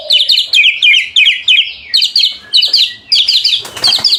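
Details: White-rumped shama in full song, played as a lure to get other shamas to sing: rapid high chirping phrases, each about half a second long, repeated in quick bursts with short gaps, ending in a noisy rustle.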